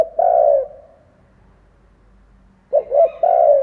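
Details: Spotted dove cooing as a decoy to get other doves calling: a drawn-out low coo, a short gap, then a full phrase of short stuttered notes leading into a long mellow coo.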